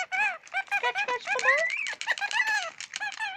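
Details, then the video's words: Scaly-breasted lorikeet kept as a pet, swearing over his toy, chattering nonstop in rapid squeaky speech-like syllables, rich in harmonics, with pitch sliding up and down throughout. "Scaly breast lorikeet talking"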